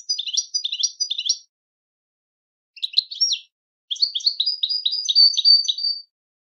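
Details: Goldfinch singing cheerful twittering phrases: a jumbled opening burst, a short pause, a brief trill, then a sustained sequence of rapid alternating liquid notes, with no background noise.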